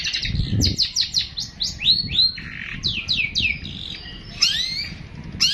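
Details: Long-tailed shrike (pentet) delivering a long 'tembakan' burst of song: a rapid, varied run of high slurred whistles, chirps and buzzy notes, with several upward-sweeping phrases and a low thump near the start.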